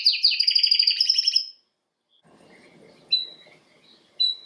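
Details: Canary, Serinus canaria, singing for training: a fast high trill for over a second, a pause with faint low background rustle, then two short sharp high notes.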